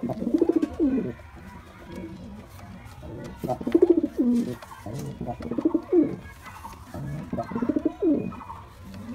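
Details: Male white pigeon performing a series of deep, bubbling coos, about four throbbing phrases spaced roughly two seconds apart, each sliding down at its end.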